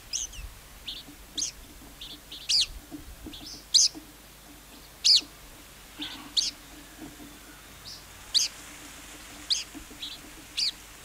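A lark gives short, high, sharp chirps and twittered notes, loosely spaced about once a second, over a faint low hum.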